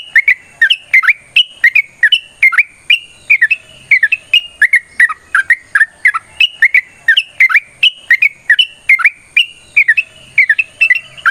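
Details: Yellow-vented bulbul in a long run of fighting-style 'ropel' song, used as a lure and as a tutor for dawn singing: chains of liquid bubbly notes, rising and falling, pouring out almost without pause.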